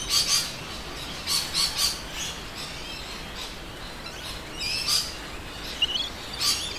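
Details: A suburban Adelaide, South Australia, winter midday chorus of many rainbow lorikeets, noisy miners also present: shrill screeches come in quick pairs and short runs, separated by brief, quieter gaps of background chatter.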